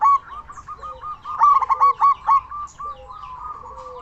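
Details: Loud local zebra dove used as a lure call for other zebra doves; soft trilled coos building into a run of five or six sharp clipped notes, then fading back to a quiet trill.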